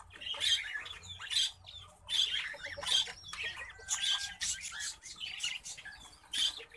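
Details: Orange-breasted zebra finch pair, a rare colour mutation, giving loud nasal, buzzy beeping calls repeated about every second, each with a sharp bright peak, with faint soft fluttering between calls.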